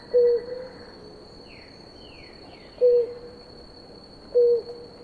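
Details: Three short, low, hollow coos, about two seconds apart, from a blue ground dove drinking beside its mate, with faint descending chirps from another bird and steady high insect buzzing.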